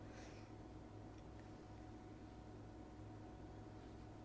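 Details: Quiet steady background noise and low hum, with a brief soft rustle near the start and no clear animal sound.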